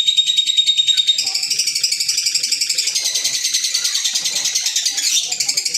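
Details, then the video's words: Green Fischer's lovebirds, kept as pets, chattering in a steady stream of shrill, high chirps pulsing about twice a second, overlapping continuously with no pause. "Fisher Love Birds Sound | African Lovebirds | Green Fisher Love birds Voice"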